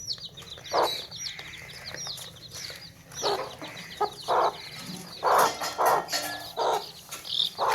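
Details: Baby chicks in a tokri, a basket, with hens nearby: faint, thin high chirps run through the background while louder, broad clucking bursts come at irregular intervals, clustering in the second half.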